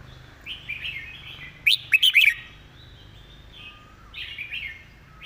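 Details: Red-whiskered bulbul singing a master song with crisp, clearly spoken phrasing. One tight burst of four loud whistled notes sounds near two seconds, framed by softer chattering warbles.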